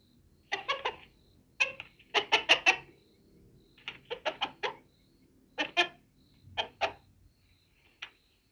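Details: Hen producing scattered clusters of short, sharp clucks, two to four notes per group separated by quiet intervals in a small indoor space.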